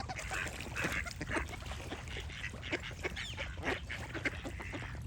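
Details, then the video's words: Overlapping duck quacks, drawn-out nasal calls mixed with shorter ones above a low background rumble. "Relaxing Duck Quack Sound Effects"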